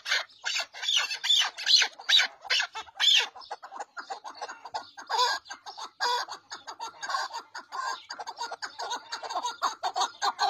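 Chukar partridge giving a rapid, harsh chattering series of clucking notes, about two per second, rising and falling in loudness.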